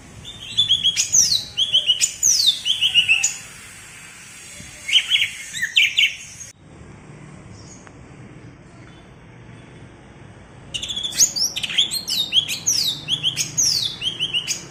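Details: Cucak ijo from Alas Purwo, Banyuwangi, giving its typical bebeci song: bursts of high, sharp, sweeping whistled notes in quick runs, a silent pause of several seconds, then another rapid burst of bright slurred notes.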